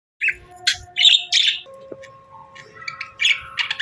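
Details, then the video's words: Budgerigar pair during breeding season makes separate sharp, high chirps and short squeaky notes against faint steady tonal hum in the background. "Budgie Pair Chirping Sounds"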